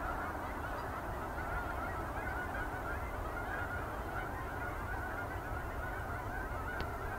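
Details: Geese departing a field at dusk for Boulder Reservoir as they do nightly; faint honking from a flock runs throughout, partly buried under strong low rumble.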